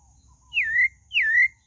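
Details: Two long downslurred whistles from a pale-breasted thrush, each falling then levelling out, about half a second apart, over a low background rumble.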